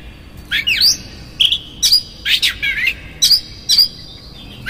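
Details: Oriental magpie-robin lure song in konslet style with rough fill, aimed at agitating other magpie-robins: swooping whistles, flat mid-pitch whistled notes and gritty rasps in short phrases with brief gaps.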